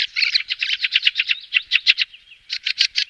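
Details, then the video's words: A fieldfare gives a harsh, rattling chatter of rapid chack notes, about eight to ten a second, with one brief pause midway; no other sounds. "FIELDFARE THRUSH SOUND,BIRDS NATURAL CALL,صوت سمنة الحقول"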